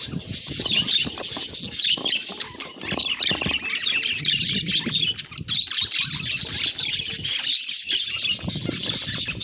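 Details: Steady budgerigar chatter of many overlapping twittering chirps and buzzy warbled notes, high-pitched and constant, with soft low thumps and rustles in the background.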